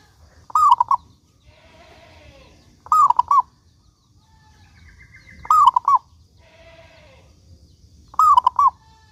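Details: Lure recording of a local zebra dove singing steadily: four cooing phrases roughly every two and a half seconds, each a long note and rapid short coos, with faint chattering of other birds between phrases.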